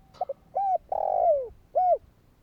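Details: One full phrase from a spotted dove calling to prompt wild doves: two quick soft notes, a short coo, a long coo gliding downward, then an arched final coo, with little background noise.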